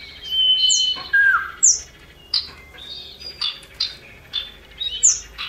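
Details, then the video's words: Lure recording of male and female common iora (cipoh), a female calling to males. Level whistles and a swooping falling note give way to high slurred notes and a run of short chirps roughly twice a second. "Cipoh Jantan & Betina Sirtu Jantan 100% Nyaut"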